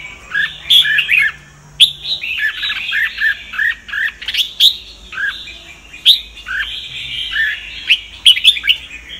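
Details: Singing red-whiskered bulbul of the Sông Kon kind, used to train other birds' voices: repeated clear whistled phrases with rising slurs, broken by brief pauses, plus scattered sharp clicks.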